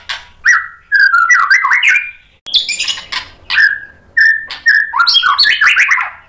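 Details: White-rumped shama singing to provoke rival shamas: clear whistled notes and quick slurred phrases mixed with harsh scratchy bursts, delivered in rapid varied sequences with short breaks.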